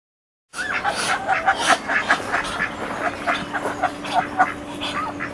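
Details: Muscovy ducks during a mating ritual at Icod de los Vinos, Tenerife, Canary Islands, give a busy run of short, hoarse quacks and soft trilling notes, several birds overlapping, over a steady low hum.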